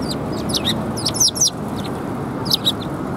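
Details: Several sparrows arriving for food at a Tenmangu shrine, 24 February 2021; quick bright chirps and twittering notes in clusters, overlapping, over constant low rumbling background noise.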